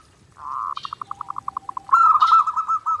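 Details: Zebra dove in vigorous, nonstop song for daily training: an opening hum, then a quick evenly spaced series of soft cooing pulses, ending in a louder, slightly higher rolling trill.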